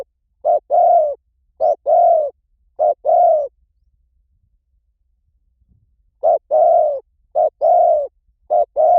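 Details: Lure call of a spotted dove for attracting wild doves: soft, hollow coos grouped as a quick note followed by a drawn-out falling coo, two bursts separated by a long silent gap.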